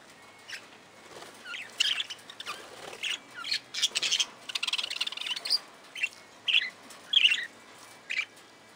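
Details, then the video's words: Budgerigars in an aviary give short, bright chirps and squeaky twitters in scattered bursts, with louder clusters every second or so and brief pauses between them. "Budgerigars – Wellensittiche – Parakeet sounds - Parkieten geluiden"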